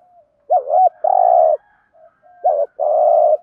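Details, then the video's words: Spotted dove lure bird calling in the thúc gù style to provoke wild doves: two quick looping notes, then a long buzzy, throbbing coo, given twice with soft faint notes between. "Tiếng chim cu gáy kích bổi hàng ngày [ Thúc GÙ, BÀI BẢN ] cu mồi thúc gù giọng hay"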